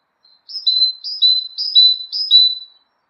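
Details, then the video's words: Great tit repeating a bright two-note phrase four times, a high note dropping to a lower one, about twice a second, against a quiet background. "Great tit"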